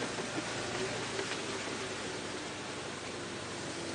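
Steady hiss of broadband noise with faint rustling and a low hum, no animal calls standing out.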